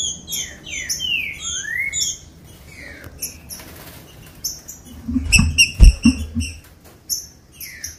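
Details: Green-winged saltator singing to rouse captive birds into song: rapid slurred whistles, one long rising sweep, then broken phrases. Low thuds, clattering and high chirps follow before more whistled notes close the passage.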